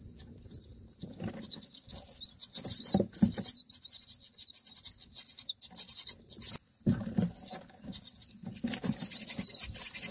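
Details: Nestling common mynas being fed by their parents, day nine in the nest: continuous shrill, scratchy begging squeals in quick pulses, briefly pausing, over a faint steady hiss.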